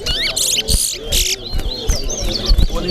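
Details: A seed finch (towa towa) in a bird singing competition at Corriverton sings fast, twittering phrases of high whistles and buzzy trills over low crowd chatter and background noise.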